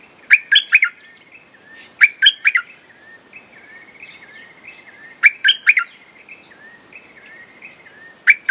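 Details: Lure song of a bulbul used to call in wild birds and train young ones, with four lively gurgling phrases of quick warbled notes. Softer, thin slurred calls fill the gaps between phrases.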